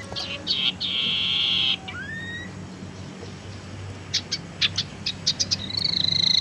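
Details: Tailorbird lure recording for stimulating song or trapping: a few sharp ticks lead into a long steady buzzy trill and a rising whistle, then a series of short high chips and a final rapid buzz.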